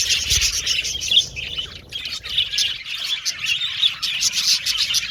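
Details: Colony of budgerigars in an aviary chirping and singing, bursts of bright high warbles and squawky chirps rising and falling in loudness, one short pause near two seconds.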